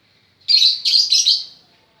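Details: Lovebird in training to sing gives three harsh, shrill, buzzy chirps run closely together over about one second, in a quiet setting.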